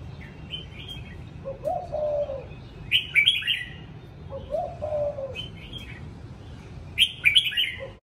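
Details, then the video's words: Captive red-whiskered bulbul gives bright, liquid warbled phrases, some low and mellow, others high and chirpy, repeating every few seconds over a faint low hum. "Chào mào nuôi dân dã"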